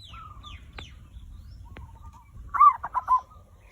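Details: Zebra dove used as a lure for prompting other birds to sing: faint thin whistles and two clicks, then a loud quick phrase of three rolling coos near the end.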